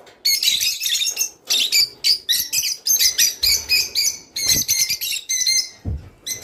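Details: Singing rice finch, sound intended to spur mating: a lively sequence of clipped, high chirps in regular pulses, some with thin whistled tones, plus faint low knocks.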